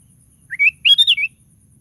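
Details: Energetic 'gacor' singing of a sooty-headed bulbul, meant to spur other bulbuls to sing: a short upslurred whistle followed by a rapid chuckling run of clear notes, finishing on a falling-then-rising slur, with near silence around it.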